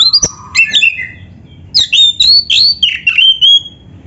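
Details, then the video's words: Song of an Oriental magpie-robin, used for songbird training: separated phrases of sharp high whistles and slurred notes, some sustained and wavering, with short pauses between bursts. "Suara Burung Kacer yang cocok untuk Latihan kicau"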